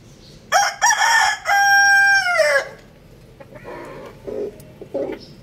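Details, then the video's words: Rooster, one of two crowing, gives a loud, harsh crow: a short broken opening burst, then a sustained, strained, harmonic-rich note that drops off at the end, followed by softer scattered clucks and low background noise. "Two roosters crowing"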